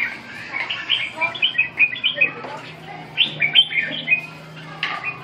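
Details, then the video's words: Red-whiskered bulbul training its song on 2 June 2012: bouncy sequences of sweet chirped notes, about five to seven per burst, in two main runs over a low, steady background hum. "dợt cm 2/6/2012"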